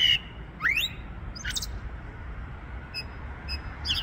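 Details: Common starling perched in a tree in February (6 Feb 2023), singing a squeaky, varied phrase of high whistles, a quick rising slur and dry ticks, with a low outdoor rumble underneath.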